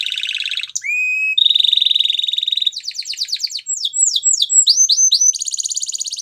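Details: Belgian canary training song: buzzy trill, a clear rising whistle, a long steady rolling trill, then quick slurred notes and a final buzzing roll, in a clean recording.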